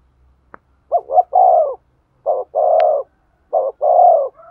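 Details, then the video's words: Spotted dove coo meant to stir a male: loud, low, hoarse phrases, each two quick notes then a long steady coo, given three times in close succession, with a faint click before the first. "tiếng chim cu gáy thúc gù, tiếng chim cu gáy kích bổi"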